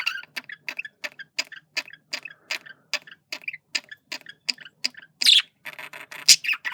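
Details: Flirting male budgerigar kept as a pet, steady series of dry clicks roughly three per second, ending in louder harsh scratchy squawks and buzzy notes.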